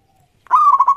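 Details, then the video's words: Local perkutut, the Zebra Dove, singing loudly as a lure for other doves. After a faint thin tone, one strong coo phrase rises and breaks into rapid pulsing beats, cut off at the end. "Perkutut Lokal Gacor Suara Yang Pas Buat Pancingan"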